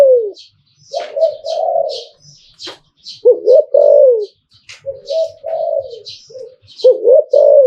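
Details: Zebra dove, Thai song style called liu tan, singing in repeated phrases of wavering, bubbling coos with quick rising and falling notes, while high chirps from other small birds sound throughout.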